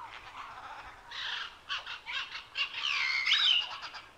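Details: Macaw, a large parrot at Safari Park San Diego: harsh, screeching squawks in rough bursts from about one second on, densest and loudest near the end, with a thin whistled note laid over them.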